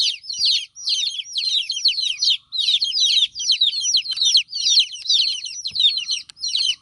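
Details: Chicks of a hen calling while their mother is not around, bursts of rapid, shrill, downward-swept peeps in clusters separated by short gaps, roughly two bursts each second.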